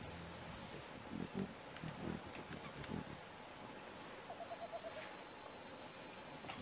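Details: White-throated screech owl at Yanacocha Reserve, Ecuador, temperate forest at night, giving a quick, even run of soft, low hoots lasting about a second, over rustling noise and thin high chirps.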